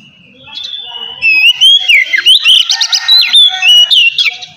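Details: Ngeplong-style Oriental magpie-robin song for stimulating untrained birds: a continuous sequence of bright whistled notes, rising and falling slurs, and quick repeated chips, delivered at a steady lively pace over a soft warbling background.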